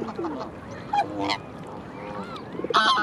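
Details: Black swan on the Round Pond gives its 'ee-oh' contact call, then low, tuba-like honks of defiance at birds in its way: nasal, bugling, slightly rising notes, several in three seconds, with other waterfowl calling.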